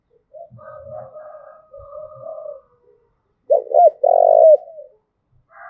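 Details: Spotted dove from Đồng Nai, Vietnam, 'thúc gù' lure coo: a long quiet murmuring phrase with a few low thumps, then a loud burst of two looping notes and a drawn-out rolling coo.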